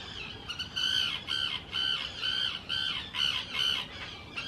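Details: Common terns courting loudly in spring 2018 at the Hula Nature Reserve in Israel, taking over preferred nest sites on man-made islands. Harsh, grating calls repeat in steady bursts, about two per second, with little other sound.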